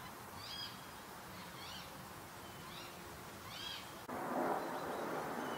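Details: Water rail recorded at Sangweiher, Eifel, in early August 2022. A series of four thin, arching squeaks comes at about one-second intervals, followed by a sudden burst of loud rustling noise.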